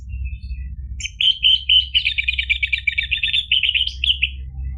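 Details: Lure song of an orange-headed thrush meant to get caged birds answering and singing: a sustained, rapidly repeated warbling trill lasting about three seconds, bright and evenly pitched, over a low background hum.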